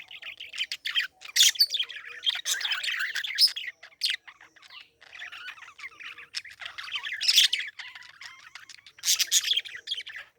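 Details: Parakeet twittering steadily, a busy stream of short bright chirps, buzzy squawks and little rising whistles, with louder peaks scattered throughout and a short lull midway.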